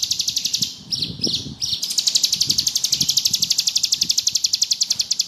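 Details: Bar-winged prinia (ciblek gunung) singing ngebrem. A fast high trill is interrupted by a few separate chips, then settles into a sustained rapid buzzy pulsing with light background rustle.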